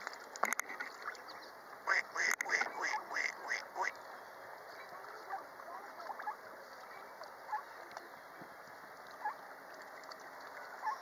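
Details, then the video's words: Mallard ducklings close up by a lake give a quick run of short, bright peeping calls in the first few seconds, then scattered single peeps over a steady low hiss. "Mallard Ducklings"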